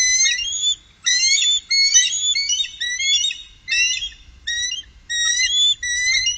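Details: Upper Mississippi, 2018: a trio of bald eagles calling almost nonstop with shrill, stuttering whistled notes in rapid series, broken by only a few short pauses.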